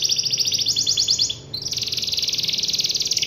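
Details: Canary in song calling a rival: rapid high trills, a short pause, then a steady fast rolling trill.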